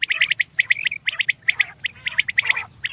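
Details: Common quail calling: quick bursts of short, sharp chirping notes at a steady mid-high pitch, packed closely together across three seconds over a faint low rumbling hum.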